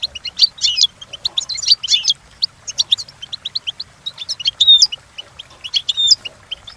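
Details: European goldfinch training song, meant for goldfinches to imitate: bubbly twittering phrases of quick high notes in uneven bursts, with a few clear whistled rising slurs toward the end.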